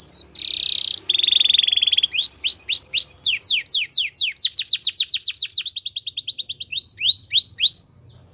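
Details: Belgian canary song used for training: two brief buzzy rolls, then a long accelerating series of steep downward-swept whistles, about four per second, ending in rising hooked notes.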